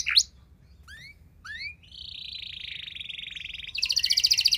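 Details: Canary song intended to make other canaries reply. Sparse swooping whistles are followed by a soft, flat buzzing trill and a final bright, rapid roll, quieter than the rest.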